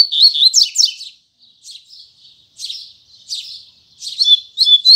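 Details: Braddock-style song of a double-collared seedeater in the morning: loud whistled burst, a pause of quieter chirps, then more loud high notes at the end.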